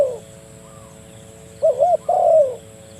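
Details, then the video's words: Spotted dove calling a rival, used as a lure to trap doves: one short low wavering coo phrase, two quick notes then a longer falling coo, after a brief trailing note at the start. "burung tekukur memanggil lawan, mikat burung tekukur"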